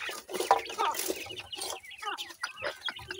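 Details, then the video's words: Francolins (teetar, possibly grey francolin), described as chicks and calling birds, give a rapid, overlapping run of short clucking and chirping notes, harsh and mid-pitched, several birds calling at once. "teetar calling bird"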